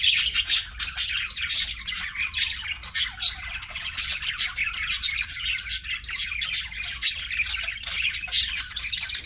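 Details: Budgies kept as pets chirping together: continuous busy high-pitched chatter of rapid scratchy chirps and squeaks, bursts repeating several times a second with no pauses, multiple birds calling at once.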